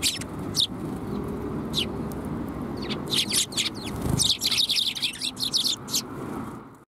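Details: Sparrows gathered at a Tenmangu shrine on 13 December 2021 give scattered sharp chirps, building into a dense chattering burst midway, against steady low traffic rumble.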